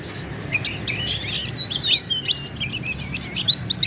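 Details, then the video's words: An Oriental magpie-robin, in a recording used to provoke other magpie-robins into singing, pours out rich, varied whistles and sweeping slurred notes without a break. They quicken into short repeated chirps near the end. "KACER GACOR LAWAN PASTI NGAMUK EMOSI NARUNG BUKA EKOR"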